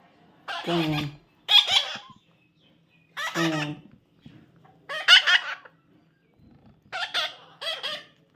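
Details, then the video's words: Young parrot during taming, calling in loud, grating, harmonic squawks. Single and paired bursts come roughly every two seconds with quiet gaps, and faint handling noise is heard between them. "natural funny parrot sound"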